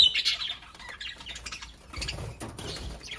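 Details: Small parrots giving short, high chirps and squawks in quick, uneven bursts, with soft wing flutters and rustling underneath.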